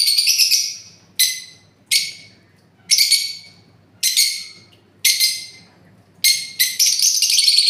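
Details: Parrot screeching in loud, grating bursts roughly every second, each fading quickly, ending in a longer run of harsh calls.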